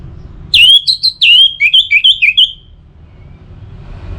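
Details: Orange-headed thrush song used as a lure to get kept birds singing in rainy and dry seasons: a loud burst of about eight clear, slurred whistles, some rising and some falling, packed into two seconds, then quiet with a faint low hum.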